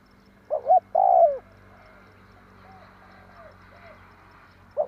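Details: Lure call of a spotted dove for bird trapping, 'tarik akar' style: a low phrase of two quick coos and a long falling coo, then softer, more distant answering coos, and a new phrase beginning at the end, over faint background hum.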